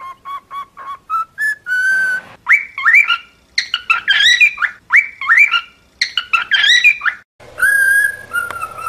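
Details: Cockatiel whistling a song used for training another cockatiel to sing: a run of short even whistles, then bursts of rich, rising and looping whistled phrases repeated in quick groups, ending on a long steady harmonic whistle with faint background hum.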